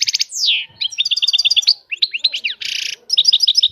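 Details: European goldfinch song: rapid liquid twittering at high pitch, fast trilled runs, a descending slurred whistle, a buzzy harsh rattle, then more quick tinkling notes. Loud and clear, no other sounds.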